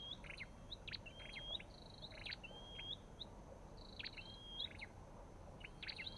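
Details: Olive-backed tailorbird (Orthotomus sepium) calling softly: clusters of high chips linked to brief level whistles, repeated several times in six seconds against steady low background noise.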